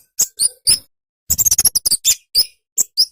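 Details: A flowerpecker, locally called kemade or cabe-cabean, gives thin, very high, sharp ticking notes, singly at first, then a quick burst of clipped chips with short pauses between.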